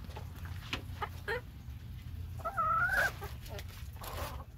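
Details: On a rainy day, chickens get corn, and one bird gives a clear, rising, whining call lasting about half a second, with a few short clucks before and after, over a steady low rumble and scattered clicks.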